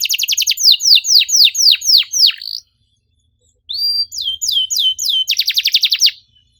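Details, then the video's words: Canary lure song meant to trigger a non-singing canary: fast descending chirps, a silent gap of about a second, then an upslurred whistle, swept notes and a quick buzzy trill. "PANCINGAN KENARI MACET GACOR NEMBAK RAPAT CUIT CUIT"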